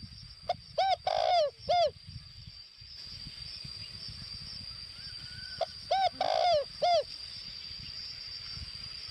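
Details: Decoy spotted dove from Vietnam's Northwest repeating its cooing phrase twice about five seconds apart, each a brief pip then mellow coos with a longer slurred middle note, over a faint high whine and low rumble.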